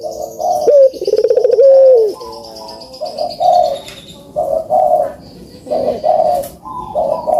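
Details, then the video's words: Barbary dove giving a rolling pulsed coo with a falling tail, followed by shorter soft coo notes; faint higher chirping from other birds in the background. Meant to encourage reluctant doves to call. "COCOK BUAT PANCINGAN BURUNG PUTER YANG MALAS BUNYI"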